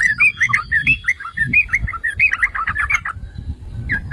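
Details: Yellow-vented bulbul (merbah cerukcuk) song meant to goad other bulbuls into singing: a fast gurgling chatter of bubbly notes, about a second and a half per phrase, then a brief lull and a last note.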